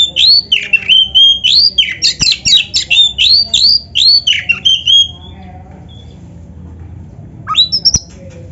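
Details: Oriental magpie-robin (kacer) in gacor full-materi song used as tutor recording: rapid series of loud whistled, swooping notes and sharp clicks about 3-4 per second for five seconds, then quiet, then a short rising whistle burst.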